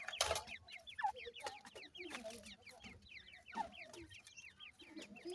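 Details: Francolin chicks of a new season chirping: repeated bright downslurred peeps from several birds at once, with a few louder rustling thumps and clicks.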